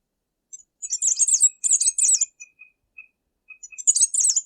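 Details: A tanager gives high, rapid twittering phrases with sharp chirps, separated by soft, thin single notes, then a final burst of chirping in a quiet setting.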